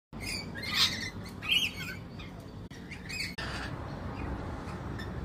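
Harsh, shrill screeches from a lorikeet, two loud bursts near the start, followed by softer chatter over a steady background hiss.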